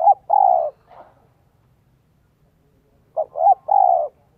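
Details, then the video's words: Luring coo of a decoy spotted dove, 'giọng son' style: a clipped note and a drawn-out hollow hoot, a faint after-note, a silent gap of about two seconds, then a three-part phrase ending in a long coo. "CHIM CU GÁY GIỌNG SON 1 CỐT LỠ KÍCH BỔI NHANH NỔI HIỆU QUẢ NHẤT"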